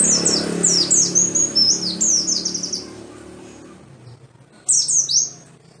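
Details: Lure song of the Oriental white-eye for caged birds: a hurried chain of high, thin, falling chirps for about three seconds, a quiet pause, then a short renewed burst of twittering.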